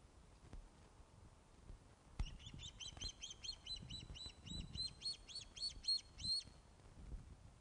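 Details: Ospreys at their nest at Loch of the Lowes during a fish delivery, filmed by webcam on 21 August 2012 at 16.35: a rapid run of about twenty high, sharp whistled chirps that sharpen and strengthen toward the end, over low rumbling background noise.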